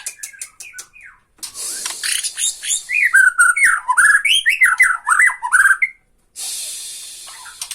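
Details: Borneo white-rumped shama singing tretekan to provoke rival shamas: soft chips lead into a lively stream of warbled, slurred whistles over a hissing rattle, followed by a short gap and a steady hiss.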